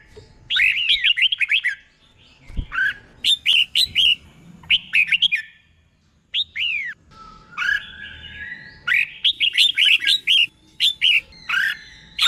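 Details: Doubled tutor song of a caged red-whiskered bulbul: many quick bubbly whistled phrases in rapid series, broken by brief gaps, with one longer steady whistle near the middle.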